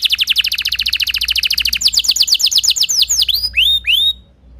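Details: Timbrado canary song with a fast, even rattle of repeated notes that slows into spaced, swooping whistles before going quiet.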